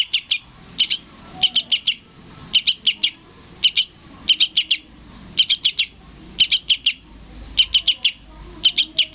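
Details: {'caption': 'Sooty-headed bulbul chick begging, calling its parent. A dozen tight clusters of two to four piercing high chips, delivered steadily throughout, with only faint background noise.'}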